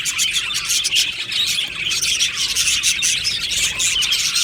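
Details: Happy budgerigars in an aviary colony: a dense, unbroken wash of high chirps, tweets and squeaky chatter from many birds at once, steady in loudness throughout with no pauses.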